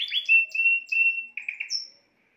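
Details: Spanish timbrado canary giving short trills and long level whistled tones, then a few chopped notes and a high thin whistle before falling silent.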